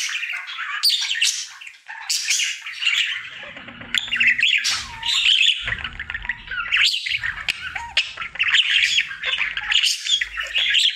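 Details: Happy male pet budgerigar sings his daily routine, a long ongoing warble of twittering chirps, whistled slides and grating notes, over a low rumbling background hum.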